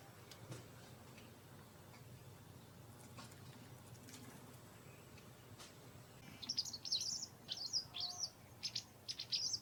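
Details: Garden white wagtails in autumn, during intensifying territory fights: after several seconds of faint ticks and low hum, a lively run of bright, high chirps repeats in quick clusters to the end.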